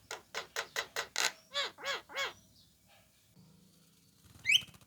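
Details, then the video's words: Orange-eyed Javan myna calling to lure other mynas into replying. It gives a rapid run of about ten harsh, grating notes, slowing into arched nasal notes, then a pause and a single rising whistle. "SUARA PANGGILAN KHAS JALAK KEBO MATA ORANGE PAS BUAT PANCINGAN JALAK APAPUN AGAR IKUTAN NYAUT"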